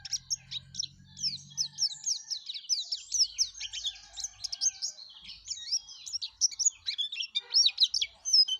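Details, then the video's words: Yellow-breasted white-eye (plece dada kuning) in full, lively song: rapid chattering run of high, thin twittering notes and quick slurred whistles, tumbling continuously with little pause. "suara kicau plece dada kuning gacor"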